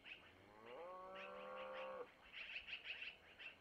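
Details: Long-eared owl nest in Missoula during feeding of the owlets by their mother. A drawn-out, nasal, harmonic tone of over a second comes first, followed by a quick series of high squeaky chirps.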